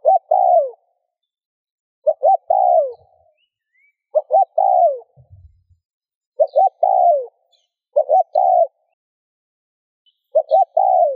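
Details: Cooing spotted dove, played to urge other doves to coo: six clear phrases, each two quick upswept notes followed by a drawn-out descending coo, spaced about two seconds apart, a faint low knock midway.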